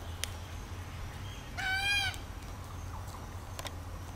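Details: A single grating, rolling cry from a red-tailed black cockatoo, midway through, over steady low background hum and a few faint clicks.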